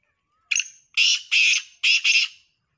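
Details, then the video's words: Black francolin, kala teeter, calling: a short thin note, then four loud harsh buzzy bursts in two pairs over about two seconds, strong and rasping with no background noise. "Blck franclion calling|Black paridges kala teter|Kala teeter ki awaaz"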